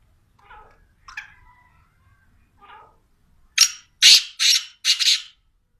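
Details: Black francolin (teetar) giving a few faint, scratchy preliminary notes, then a sharp run of four loud, rasping, broadband bursts delivered rapidly near the end, in a quiet setting.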